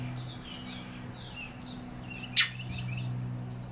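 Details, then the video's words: A Northern Mockingbird perched on a house roof in Yukon, Oklahoma, calling rather than singing, possibly guarding a nearby nest, gives one loud, harsh chack over faint high twittering from other birds and a steady low hum. "Northern Mockingbird Call"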